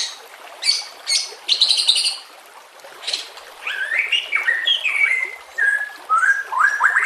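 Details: White-rumped shama song mixed with natural ambience and trickling water: harsh broadband chattering bursts, then a string of clear, varied whistled notes rising and falling.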